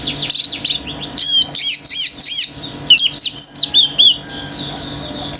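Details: Male orange-headed thrush singing nonstop: a regular series of arched, repeated high notes about every quarter second, followed by quicker sharp chirps, in a song that provokes other birds.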